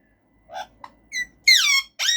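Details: Caged male Alexandrine parakeet talking, giving a few short harsh squawks that build into a loud, bright, warbling screech with falling and rising notes near the end.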